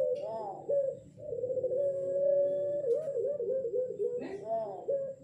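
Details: Young ring-necked dove of about six months, pelung type, learning to coo in the dark, its voice likened to a howling wolf: long, drawn, wavering mid-pitched tones with bent, warbling ends, repeated with short breaks, in a small quiet room.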